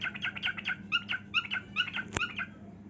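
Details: Dancing pet cockatiel singing: quick run of short chirped, twittering notes in steady succession, one sharp click midway, low background hum.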